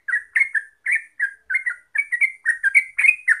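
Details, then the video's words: Yellow-vented bulbul (trucuk) giving lively 'gacor ropel' song, used as a lure recording: liquid slurred chirps in uneven groups, speeding toward the end. "Pancingan Trucuk Biar Gacor Ropel"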